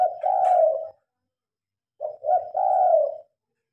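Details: Spotted dove calling at night while lights are on, phone recording; two full cooing phrases about two seconds apart, the second opening with two quick short notes before a long wavering coo.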